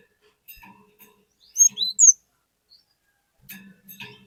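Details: A cinereous tit sings to draw other birds into song, giving one quick phrase of three high, clear whistled slurs with soft clicks and a low hum around it.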